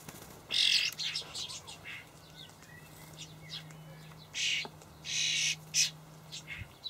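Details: Juvenile common starlings calling for food from parents at a feeder in a Hamburg allotment garden, 28 May 2012: rough, hissing bursts come irregularly, one early and a cluster near the end, with softer chatter and a low hum.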